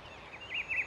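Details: Rufous-browed peppershrike singing in Itatiba, São Paulo, Brazil, on 17 August 2024 at 08:30: a brief run of clear, warbled whistles that dip and rise in mid-high pitch over a soft background hiss.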